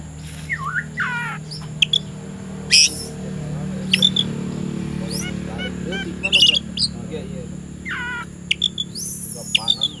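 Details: Oriental magpie-robin, said to be ready to fight a rival, singing in the afternoon: varied whistled phrases, sweeping slurred notes and scratchy chatter in scattered bursts, with a steady low hum and faint voices in the background.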